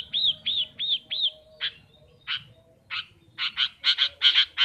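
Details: Pet long-tailed shrike in full song: four arched whistled notes in quick succession, then spaced harsh rasping notes that turn into a run of buzzy chattering bursts.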